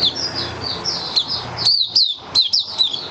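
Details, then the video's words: Caged white-eye singing its opening song, recorded 23 March 2022 in warm humid weather: high, thin chirped notes slurring downward, given in quick irregular bursts with brief pauses, over a low background hum. "Mata Puteh Kitaro Video 1 buka sing"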